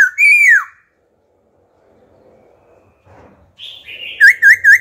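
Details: Wild-style song of an old wild-caught laughingthrush, used to spur other birds and teach young ones: one long arched whistle, a quiet gap with faint rustling, then buzzy notes and three quick looping whistles.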